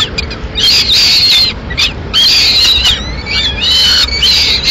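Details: At a Madrid peregrine falcon nest, 21 May 2016, the female delivers pigeon to two chicks. Drawn-out harsh screams of about a second each, separated by brief pauses, some ending in a downward slur.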